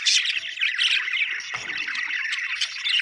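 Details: Happy budgies from Australia chattering together: a steady mass of warbled, squawky chirps and rapid twittering, with a soft low thump midway.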